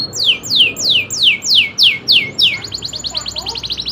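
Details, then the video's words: Local canary (kenari lokal) singing a row of loud, evenly spaced descending slurred whistles, about three per second, breaking into a fast thin high trill. "kenari loper suara asli nembak ngerolll"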